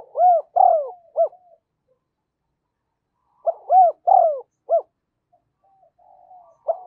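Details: Lure spotted dove cooing to call wild birds in: a loud three-note throaty coo phrase, a silent gap, the same phrase repeated, then faint murmuring and the start of another.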